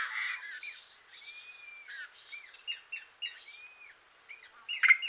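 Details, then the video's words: A yellow-headed blackbird gives harsh, raspy chirps and buzzy scraping bursts mixed with short whistled slurs, several notes a second, ending in a loud, grating squawk. "Yellow-Headed Blackbird Chirps"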